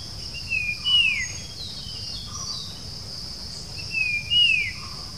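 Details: Puff-throated babbler's persistent whistling call on the outskirts of Bangalore, India, 7 June 2020: two clear whistled phrases about three seconds apart, each ending in a bright falling note, over a steady high insect drone.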